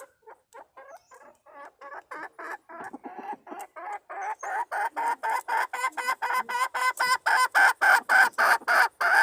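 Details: Hen of the wild red junglefowl calling to attract the male, recorded 26/3/2020: rapid clucks repeated about three to four times a second, faint at first and growing into a loud, driving, regular cackle.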